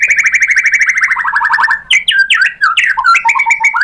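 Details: White-rumped shama singing as a lure meant to rouse a rival into replying: a fast rattling trill that slowly falls in pitch, then bold, separate whistled phrases with sharp upward and downward slurs.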